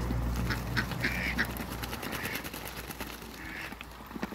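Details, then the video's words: A couple of Muscovy ducks in a backyard, playing with water, give a few drawn-out soft calls about a second apart over a low hum and dripping water. "COUPLE MUSCOVY DUCKS AFTER THE CREATE WATERBIRDS & PLAY WITH THE WATER IN THE BACKYARD"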